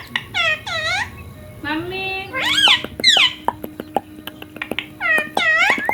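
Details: A ringneck parrot said to talk, with words like mummy and papa. It gives repeated arched, harmonic chirps, a low drawn-out note and clusters of rapid clicks, in an indoor setting.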